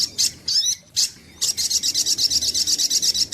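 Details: Lure recording of a sunbird (sogok ontong): a few high squeaky slurred phrases, then a rapid regular series of bright, high, ringing notes.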